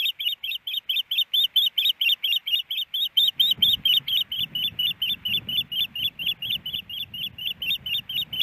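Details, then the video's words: Nest-camera recording from Missoula, Montana, April 28, 2019: a female osprey expecting a fish calls in an unbroken series of shrill, slightly doubled chirps, over a low rumble that starts partway through. "Hellgate Canyon Ospreys ~ Iris Needs A Fish but No Fish!"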